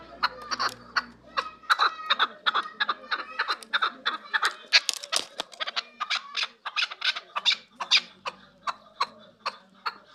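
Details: Chukar partridges from Qabodiyon district, Tajikistan, kept for sale, sounding a dense run of short, hoarse chuck and cluck notes that build and then space out toward the end.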